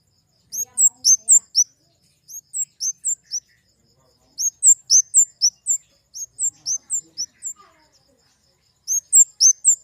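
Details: Kemade flowerpecker repeats short bursts of four to six thin, very high hooked notes, alternating between two pitches, separated by brief pauses across ten seconds.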